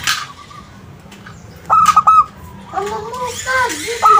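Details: Zebra dove of a local strain singing to lure answers from other birds: a short burst of three even coos. Wavering lower voices come after it, and another coo starts at the close.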